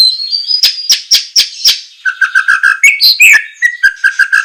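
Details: White-rumped shama, recorded as a training song for caged birds, giving loud repeated sharp notes, then a series of low mellow whistles and rising slurs.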